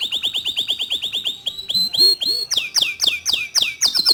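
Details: A local white canary sings: a rapid run of chirps near one pitch, a few rising slurred notes, then bright descending swoops repeated about four times a second.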